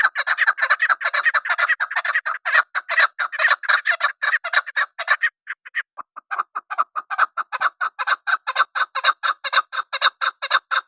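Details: Chukar partridge, locally called chakor or desi chakor, giving a rapid run of harsh clucking chuk notes, about two per second, dense for five seconds, a brief pause, then resuming in a steady series.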